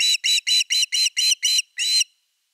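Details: Osprey calling at the nest around an evening fish delivery on 30 August 2021: seven loud, even whistled notes followed by a longer final note.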